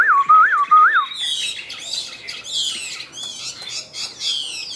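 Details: Caged Chinese hwamei of the Tam Hoàng form. A smooth, wavering whistle rises and falls three times, then gives way to bursts of rapid, high, chattering and warbled phrases with brief pauses between them.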